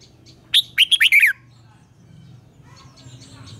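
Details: Morning-trained red-whiskered bulbul sings in the 'ché kích bổi' style: one crisp phrase of five quick whistled notes, the last slurring downward, then quiet with a soft low rumble and a final clipped note.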